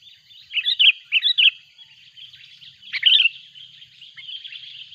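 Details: Sooty-headed bulbul in loud, excited calling as a rival arrives, a lure recording made in the mountains: a couple of quick chirpy phrases followed by one sharper burst, then quieter twittering under a steady high ringing tone.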